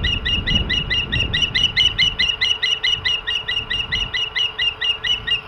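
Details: Osprey calling at the nest, filmed by a nest cam on 14 April 2016: a fast, even series of piercing whistled chirps, a bit over two per second, with a low background rumble fading after the first two seconds.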